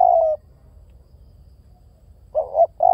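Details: Spotted dove cooing: a low, smooth coo opens the recording, then after a pause two more soft coos follow near the end, with a faint low rumble underneath.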